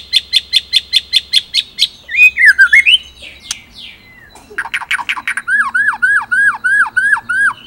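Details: White-rumped shama in 'ngerol nembak' song: a run of sharp repeated notes, then a wavering whistle, then harsh chattering. It ends in a series of falling, squawk-like notes repeated in rhythm.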